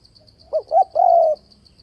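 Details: Spotted dove coo used to attract doves into a fighting-decoy trap: a short note, a rising second note and a long sustained coo, with a soft high pulsing trill behind.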